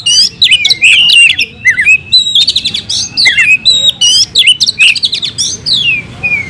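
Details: Oriental magpie-robin singing a varied fighting song, loud and close: twisting whistled phrases and sweeping slurs mixed with rapid, sharp notes in uneven bursts, almost without pause.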